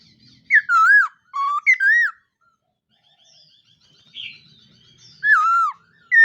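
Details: Black laughingthrush (khướu mun) singing in the morning during voice training. Loud whistled phrases slur down and then up, given in short bursts of two or three notes with pauses between. The room is otherwise quiet.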